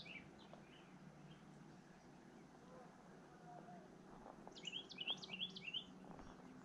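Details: Endangered golden-cheeked warbler, a male, singing at the end of a June hike on the Baker Springs trail in Austin, recorded on a GoPro; faint high buzzy notes early, then a louder run of four quick rising buzzy phrases near the end, with hikers talking.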